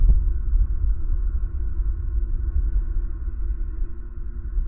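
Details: Steady low rumble with faint held hum tones throughout and no animal calls.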